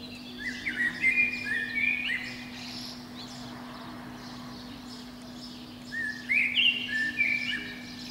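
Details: From the top of a pine outside a window, a Eurasian blackbird sings at spring dawn: two phrases of liquid, flute-like whistles with twittered endings, separated by about three seconds of near silence and a faint hum.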